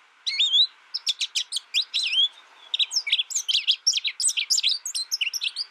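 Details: American goldfinch opening with a clear rising slurred note, then a quick string of high chips and twitters, a short pause, and a second lively chattering sequence.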